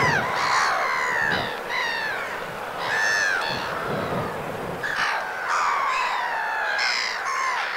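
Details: Black-headed gulls in winter plumage at the Vilaine estuary, Morbihan, France, on 22 February: harsh, nasal, drawn-out squawking calls with strong harmonics, several overlapping in bursts about every one to two seconds, a steady low murmur beneath.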